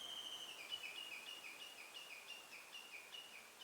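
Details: A Japanese bush warbler, unseen and recorded on a hand-held camera, gives high, clear notes in a quick chain, about two or three a second, over a steady outdoor hiss with some camera noise.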